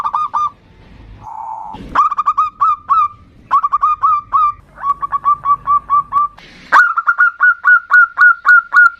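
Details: Local zebra dove singing actively in the ndudut variation, intended to lure and provoke a rival. Quick clusters of hooting notes alternate with brief pauses, and a long, evenly spaced series closes the passage.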